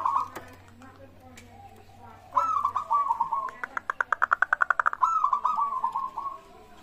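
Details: Local zebra dove singing as a lure to get other birds calling; a rolling cooing phrase runs into a rapid series of sharp pulses, then ends in another burst of trilled coos, with a faint low hum early on.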